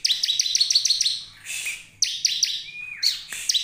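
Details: Bar-winged prinia lure song, meant to draw other prinias into singing: fast bursts of high sharp chirping notes in rapid series, broken by short pauses and one long drawn-out whistle falling at the end.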